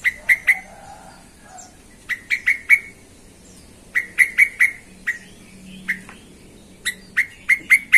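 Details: Provoking lure of an agitated yellow-vented bulbul; four groups of three to five crisp, ringing, down-slurred notes delivered in quick succession, roughly every two seconds.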